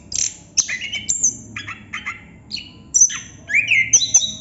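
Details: Chestnut-capped thrush singing non-stop ngerol: clipped high whistles, a quick series of mid-pitched chirps, then a looping rising and falling whistled phrase.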